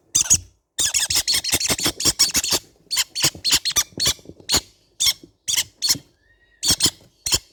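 Young green-cheeked conures give rapid, harsh, scratchy squawks in bursts, several per second, pausing briefly between runs; no other sounds stand out.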